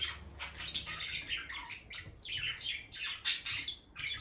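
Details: Peach-faced lovebirds, a bonded couple kept by their nest box where the female keeps entering, trade dense, harsh high chirps and squawks almost nonstop, overlapping rapid notes with a soft low rumble behind.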